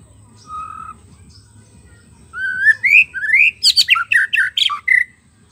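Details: White-rumped shama song used as a lure for wild birds: a soft low whistle, pause, then rising whistled phrases leading into a dense, rapid burst of sharp, chattering high notes.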